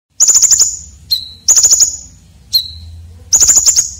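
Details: Red-breasted konin with a coarse, sharp fill-in style used for training competition birds: three bursts of rapid, very high ticking notes, each separated by a short, lower, flat whistle.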